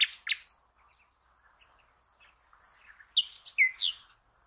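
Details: Song of a common nightingale, used to train cage birds: brief loud high notes at the start, a long soft passage of faint chirps, then loud downslurred whistles and sharp clicks near the end.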